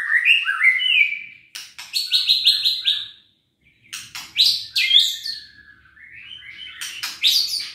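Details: White-rumped shama song used to provoke lethargic birds into singing: rising whistles, fast trilled bursts of repeated high notes, sharp clicks, a brief pause, then more rising phrases.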